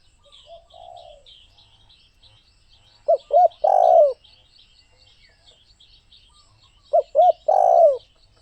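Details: Spotted dove repeating its coo phrase twice, about four seconds apart. Each phrase has two or three short hoots and a long, purring, descending coo, over soft high chirping from other birds.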